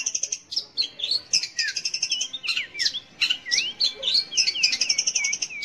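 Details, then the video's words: Varied long-tailed shrike song intended to draw song from young or silent shrikes: chattering bursts interspersed with many curving, swooping whistled notes in quick succession. "kicau BURUNG CENDET / PENTET untuk PANCINGAN."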